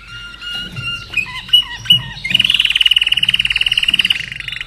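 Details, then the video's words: Caged common nightingale kept in Austria, hatched in 2011, singing: a few pure whistled notes and sliding phrases, then a fast, loud, even trill of repeated notes lasting about two seconds, with a low hum underneath. "Slavujar din Austria Mein Slavujar Singt ein kleines Lied"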